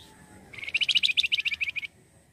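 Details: Energetic flamboyan bird song for luring wild birds: a continuous fast trill of about fifteen bright, buzzy chirps over roughly one and a half seconds, evenly paced, then silence.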